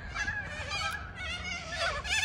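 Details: Cockatoos in their hundreds feeding on a sports field in Melbourne, Australia. A continuous chorus of raspy, nasal screeches from many birds, rising and falling in bursts, with Thai speech just before.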